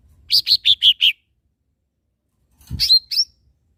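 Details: Lesser green leafbird, a caged bird's tutor song: five quick, high, slightly buzzy chirps falling gently in pitch. After a pause come two or three sharper notes with a short upward flick. Soft low thumps are also heard.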